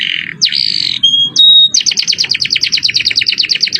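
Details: Canary in 'cengkok mewah' luxurious song style for masteran: a buzzy opening, a clear steady whistle, then a long rapid roll of evenly spaced high chips, roughly eight per second.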